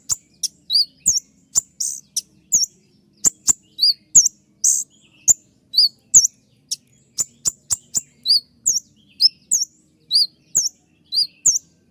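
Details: Caged-bird training song of a kolibri ninja sunbird in full 'tembakan' style: a dense, shrill run of very high chirps, sharp clicks and short curved whistles that barely pause across the whole stretch. Quiet background hum.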